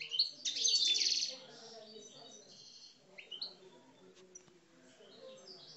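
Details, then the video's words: Algerian parva European goldfinch in captivity giving aggressive coupleur song: a loud, buzzy twittering burst at the start, then fainter scattered chirps and soft notes. "Mes Chardonnerets Parva Algeriens Coupleurs, Agressif"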